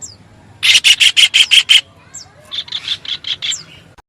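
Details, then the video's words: Kingfisher chattering: a run of seven harsh, rasping notes, then a softer second run, with a few thin, high squeaks between. "suab noog noj ntseg quaj tiếng chim bói cá"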